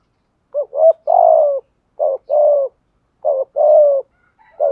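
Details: Spotted dove urging coo for luring wild doves: three phrases spaced about a second apart, each a clipped two-note stutter then a long, smooth, slightly descending coo, with a fourth phrase starting at the end. Clean and quiet otherwise.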